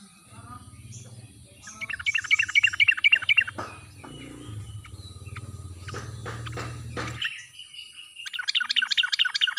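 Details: Sooty-headed bulbul lure song, ngalas style, meant to set silent birds singing: a fast run of repeated chirping notes, a pause with scattered notes over a low hum, then another quick repeated series.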